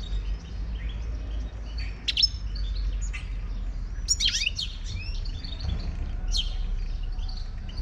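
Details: Wild Moroccan European goldfinch singing: scattered, high twittering chirps and quick slurred notes in brief bursts, most dense around the second and fourth seconds, over a steady low rumble of background noise.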